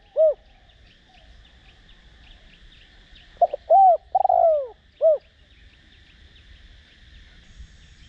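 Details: Spotted dove used as a decoy to rouse other doves into cooing, singing in the Đồng Rặc voice style: a single coo, then after a pause a phrase of a short note, a round coo, a long falling coo and a final short note, in a quiet setting.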